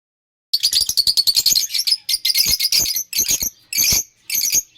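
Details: Lovebirds chirping: dense bursts of high, harsh chirps in rapid series after half a second of silence, broken into short clusters with brief pauses, some notes sharper and buzzier.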